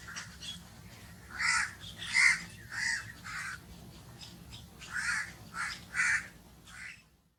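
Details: Crow uttering an irregular string of about ten hoarse, grating caws, some louder and closer together, fading out at the end.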